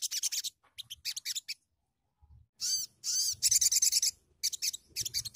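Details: Sunbird song used as a lure for training songbirds: bursts of high, sharp chittering notes and quick rapid trills, with a brief gap in the middle, faint low thumps.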